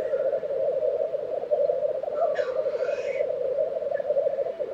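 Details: A continuous low bubbling chorus of black grouse fills this April 2023 lek recording from Tiveden, Sweden, with a hoarse hiss and thin whistles briefly above it.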